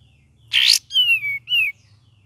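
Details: Cream-vented bulbul singing in the lively gacor and chattering ngeriwik style: a harsh, noisy burst followed by two clear whistled notes, each sliding downward, the second shorter and more sharply dropping.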